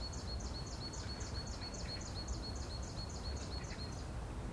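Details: Eurasian nuthatch in spring, one of a pair renovating an abandoned nest with beak and mud while its mate keeps watch: a steady series of about eleven clear, high, slightly descending piping notes, evenly spaced, over low background rumble.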